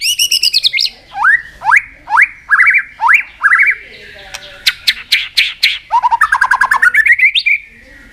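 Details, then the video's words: White-rumped shama in a singing contest, pouring out many forest voices continuously: sharp rising whistled sweeps, harsh clicking rattles, then a fast run of short stuttering notes ending in a rising whistle. "Chòe lửa hót nhiều giọng rừng đảo liên tục.chòe lửa căng lửa hót đấu đập xoay"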